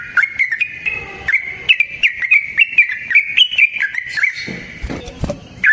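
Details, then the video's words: Yellow-vented bulbul singing in the wild, a long rapid song meant as a lure for silent bulbuls: quick run of bright, slurred whistles at an even pitch, ending with a rustling noise and one last note. "Trucukan GACOR ngalas ROPEL PANJANG suara alam AMPUH buat pancingan"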